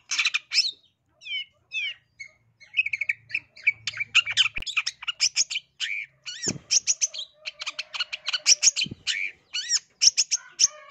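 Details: East Javan long-tailed shrike used as a lure to make birds sing fiercely: descending whistles and chips building into a dense, fast mix of harsh buzzes and varied mimicked notes, with a few sharp clicks.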